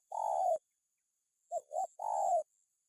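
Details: Spotted dove pressing a rival: one long burry coo, a pause, then a quick double rising note running into another long, slightly falling coo.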